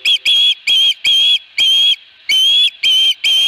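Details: Eight loud, shrill whistled notes from an Osprey at the nest with a fish, Dunrovin Ranch, 22 August 2020, delivered in quick succession with brief gaps and one longer pause.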